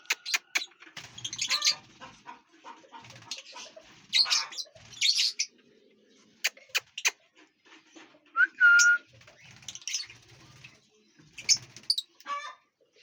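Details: Lovebirds feeding and flying inside a large aviary give scattered sharp, scratchy chirps and short chattering bursts, with one brief clear whistle in the middle and quiet gaps between calls.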